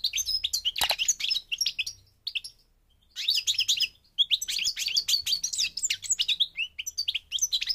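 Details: Song of a European goldfinch, North African parva subspecies, Morocco: dense, rapid twittering of bright chirps and buzzy trills, broken by a silent pause of about a second midway before the liquid chatter resumes.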